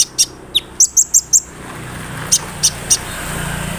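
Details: Olive-backed sunbird (kolibri ninja) call used to get other sunbirds singing: a quick string of thin, high chirps, then three spaced notes over a rising background hiss.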